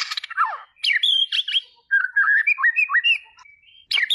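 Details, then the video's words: White-rumped shama singing a rich, varied song: a harsh opening burst, then clear whistled phrases, slurred notes and rising chirps in quick succession, with no other sounds. "صوت طائر الشامه - Rumped Shama Birds Singing"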